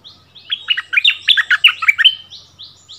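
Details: In a song duel with a resident bulbul, a tight cluster of loud, fast warbled notes swoops downward, bracketed by softer, repeated short high downslurs from the rival.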